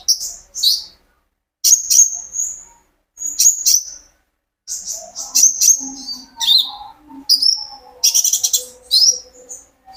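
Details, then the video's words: Owner-recorded sunbird singing as a prompting track for kolibri ninja: high, piercing chirp clusters and trilled bursts, with silent gaps left between phrases. "burung konin gacor pancingan terapi burung kolibri ninja agar ikut gacor"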